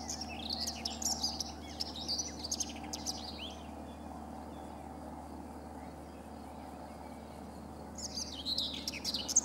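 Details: A Common Whitethroat on the bank of the Sava at Prečko, Zagreb, Croatia, on 3 June 2017 gives short, scratchy, jumbled warbling phrases, one near the start and one near the end, over a steady low hum.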